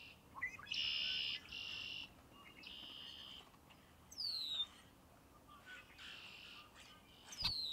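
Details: Red-winged blackbird song: a run of harsh buzzy trills, each lasting under a second, separated by short pauses, mixed with clear downward-sliding whistles, over a steady low background hiss.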